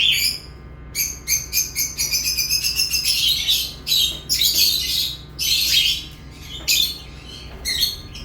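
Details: Lovebirds chirping: a quick series of clipped, high chirps, then dense scratchy chatter and sharp squeaks in bursts, with a low steady hum behind.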